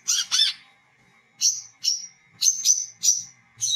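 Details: Olive-backed sunbird chirping gacor in ngriwik and ngecret styles as a calling lure; a double burst of scratchy notes, then single clear, high, slightly descending tweets spaced about half a second apart over a low steady hum.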